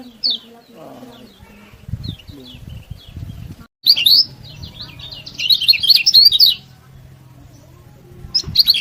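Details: Lemon-bellied white-eye (kecial kuning) singing to spur other birds: scattered soft high notes at first, then a loud burst of fast twittering chirps and a longer dense chattering phrase, with low background rumble.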